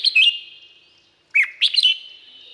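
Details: Red-whiskered bulbul song recorded in Thailand. A short chirpy burst is followed after a second by a dipping note and a rapid run of bright, bubbly notes, all with a long echo.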